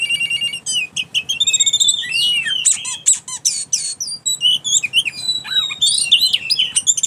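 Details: Caged oriental magpie-robin bursting into odd sounds the moment its cage cover is lifted: loud, shrill, fast-changing whistles, squeaks and chattering notes crowded together, with no other sounds.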